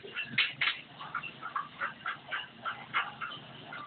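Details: Javan myna singing actively: a steady run of short harsh and whistled notes, roughly three or four each second, with a faint noisy background.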